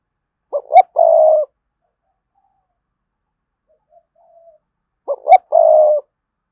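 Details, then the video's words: Spotted dove calling to lure rival males to fight: two loud phrases about four and a half seconds apart, each two short notes and a long vibrating coo, with faint soft coos between. "chim cu gay thúc và gáy gọi bổi nghe và về cội đấu liền"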